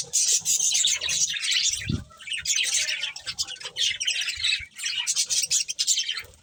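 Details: Colourful budgies keep up lively, warbling chatter: bright, buzzy chirps come in rolling waves, and a dull bump is heard near two seconds.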